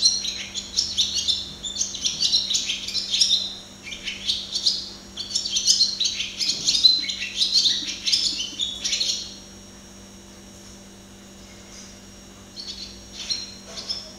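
A barn swallow sings a fast, high twittering warble of chirps and buzzy trills for about nine seconds, then falls quiet, over a faint steady low hum.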